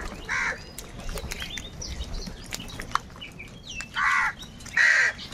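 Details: Crows competing for food: three loud, rasping caws, one early and two near the end, separated by a stretch of softer chirps and clicks from other birds.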